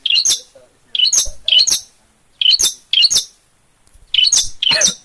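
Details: Long-tailed shrike singing actively (gacor) in Gunungkidul, Yogyakarta: short harsh, buzzy bursts with squeaky whistled tops, in loose pairs and triplets separated by brief silences.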